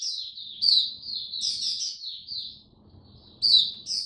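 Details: Hobby oriental white-eye in cold rainy weather gives soft high warbling twitters with louder sharp chirps at the start and end, a quiet gap in between with low background noise.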